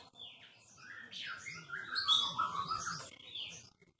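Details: Murai batu Aceh (white-rumped shama), the Aceh form, described as now rare and a very melodious singer, recorded in 2018: rich varied warbling of whistled and slurred phrases, rising and falling, with a loud sweet burst midway.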